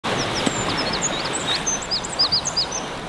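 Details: Several Eurasian oystercatchers on the coast of Brittany, France, on 22 April 2019 give sharp, high piping notes, quick and overlapping, over a steady rush of wind or surf.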